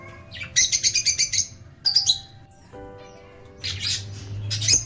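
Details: Pet lovebirds, rosy-faced and Fischer's, twittering in fast buzzy chirp series, a sharp squeak near the middle, then a dense chatter at the end, with steady instrumental music underneath.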